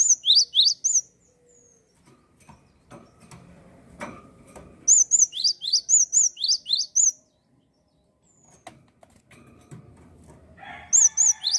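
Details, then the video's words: Java sparrow singing actively, used to spur untrained birds and birds that have stopped singing: bursts of high arched whistles alternating with quick rising sweeps, two phrases separated by quiet rustling and faint knocks. "gelatik gacor cocok penyemangat burung bahan & macet bunyi"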